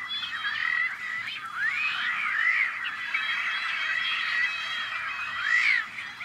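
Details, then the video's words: Nesting Tricolored Blackbirds on a Central Valley farm in California, May 2012: a dense colony chorus of harsh, nasal, twangy calls overlapping continuously, with rising and falling slurred notes standing out above the din. "Protecting Tricolored Blackbirds"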